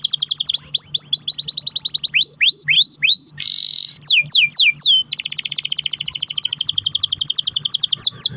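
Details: Pet canary in a cage delivering a long rolling song meant to coax other canaries into singing: quick series of descending whistled sweeps, a short buzzy trill, then a long fast rattling roll of clipped notes.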